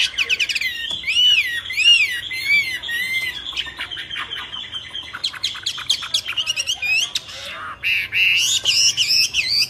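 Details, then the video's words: Myna, a songbird noted in some forms for copying sounds, wild, delivering a long varied medley: looping whistles, rapid clicks and rattles, harsh squawks, then high buzzy whistled notes. "طيور البرية غريبة التغريد و من بينهم طائر المينا"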